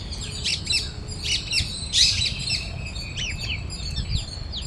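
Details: A parrot flock eats grain in a city park in Bangalore, India; quick, scratchy chirps and short squawks come from several birds in uneven clusters, with a low hum of distant noise beneath.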